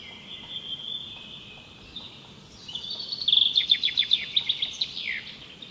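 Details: Woodpecker, a bird of the local area: a steady thin high note gives way to a fast series of sharp, clipped, high-pitched notes, repeated several times a second, then fading.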